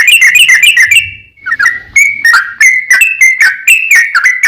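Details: Sooty-headed bulbul song played as a lure: a quick run of bright chirps, a brief pause with faint low rumble, then steady whistled notes sliding down, about four per second.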